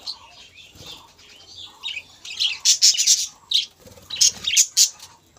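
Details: Budgerigars in a breeding colony where hens have laid eggs, several birds calling: bursts of sharp, high chirps and squawky notes, thickening toward the end, with low handling noise underneath.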